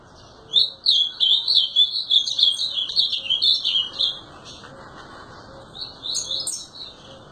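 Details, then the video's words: Azulão pours out a fast run of high, slurred chirps for about three seconds, pauses, then gives a second short burst of bright notes. "Azulão TERRORISTA Destruindo"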